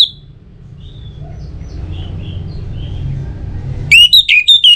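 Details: Faint distant bird notes drift over a low hum before an orange-headed thrush breaks in with a quick, loud series of looping whistled notes, used to prompt other birds to sing.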